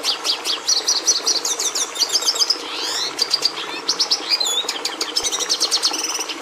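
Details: Red siskin song made of a quick sequence of high chirps, a broad downward-sweeping buzzy phrase near the middle, then further rattling trills and clipped twitters.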